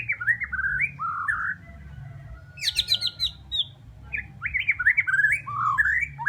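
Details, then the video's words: Bornean white-rumped shama in a rich, varied run of fluty whistles that rise and fall in quick loops, broken by a high buzzy rattle, with a quiet low hum beneath. "Bunyi Burung Murai batu borneo"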